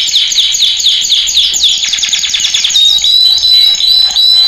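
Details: Song of a male canary meant for training other canaries: a dense rapid trill gives way to slower, evenly spaced rising whistled notes, clear and loud.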